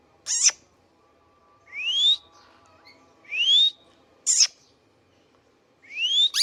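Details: Indian ringneck parakeet kept as a pet: upward-sweeping whistles alternating with sharp high clicks, spaced about a second or more apart.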